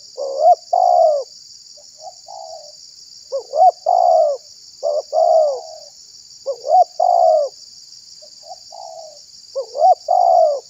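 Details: Spotted dove call used as a lure to draw wild doves and provoke other doves; repeated phrases of short rising hoots followed by a longer purring coo, near 500–900, about every three seconds, with a steady high electronic hum.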